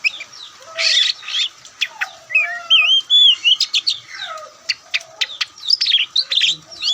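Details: Caged white-breasted Oriental magpie-robin delivering a loud, varied song: looping whistled phrases, dense chattering bursts and sharp ticks, with a few low soft notes underneath.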